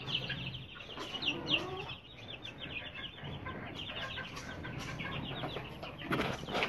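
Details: A flock of Aseel chicks, about 20 days to 2.5 months old, peeps steadily in high, quick chirps. Scattered clicks and knocks and a low hum run underneath.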